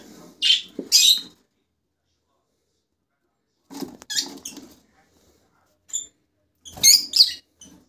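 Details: Rosella among its colour mutations: two bursts of shrill, raspy chirps early on and another pair near the end, with softer low murmuring and quiet gaps in between.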